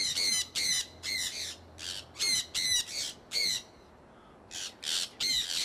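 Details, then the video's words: Conures from a pet flock on the wing outdoors in Iowa during early spring 2003. Evenly spaced harsh screeches repeat at about two or three per second, pause briefly, then resume in a rapid run. "Iowa Conures Flying"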